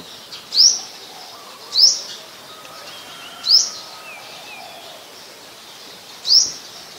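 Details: Olive-backed sunbird in mangrove forest at the Sirinart Rajini centre, Thailand, repeating a thin, sharp, rising high note four times at uneven intervals of one to three seconds, over a quiet hissy background.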